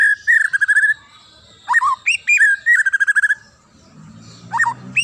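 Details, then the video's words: Wild forest white-rumped shama singing clear whistled notes: a steady trill of rapid repeated notes, sharp upslurred whistles and another fast repeated series, then a pause with low hum and two further whistled notes. "SUARA ASLI MURAI HUTAN"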